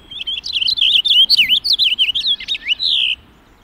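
A Purple Finch sings a rapid, bright warble of slurred high notes for about three seconds, closing on a drawn-out descending note.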